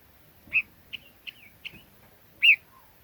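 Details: Red-billed leiothrix: a loud rounded whistle, three short clipped notes with slight downward tails, then another strong slurred whistle.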